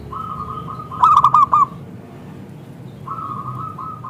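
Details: Zebra dove, local type with a full, clear voice, used as a lure call: soft repeated coos, then a loud phrase of four ringing, hooked notes, a pause, and more soft cooing.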